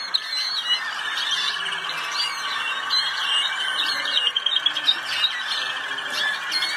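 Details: A Malinois canary at the 2019 world championship (Mondial) in the Netherlands sings an unbroken, rolling song of soft trills and bubbling, water-like tours that hold steady, with brief brighter notes near the end.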